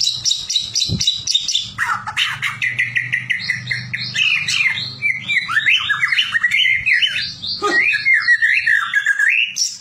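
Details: Oriental magpie-robin, a caged bird whose song is played to prompt others to sing for fighting contests: fast, varied whistled phrases, rising and falling, mixed with harsh chattering notes, over faint low hum.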